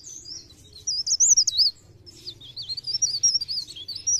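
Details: Sunda warbler in blereng gacor song, 'pre pare', a lure to make birds sing: a rapid chain of sharp, very high zigzag notes, repeated in two rushing phrases.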